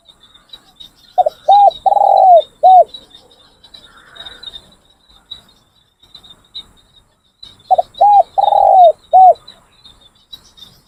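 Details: Spotted doves kept as decoys for training, giving two repeated phrases of deep coos, short-short-long-short, about six seconds apart, over a continuous high insect whine.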